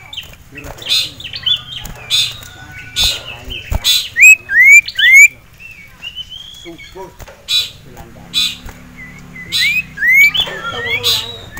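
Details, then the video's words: Caged male common iora (sirtu), roused into heat and agitated by a rival and a female. Rapid runs of rising whistled notes come in bursts, separated by harsh noisy chatter and quieter gaps. "CIPOW Ngamuk Melihat SIRTU JANTAN Dan Betina"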